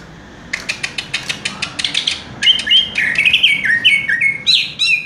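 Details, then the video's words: Kept greater green leafbird (cucak ijo) in 'raja tembak' style: a quick series of about a dozen sharp clicks, then a rapid stream of rich, sliding whistles and warbled notes, delivered fast and tight. "cucak ijo " raja tembak ""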